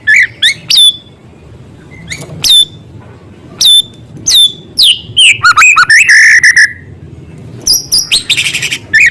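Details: White-rumped shama in strong song with small-bird sound material: separate sharp whistles dropping in pitch, spaced by short silences, then a rapid chattering run and a steady trill, ending in buzzy high notes.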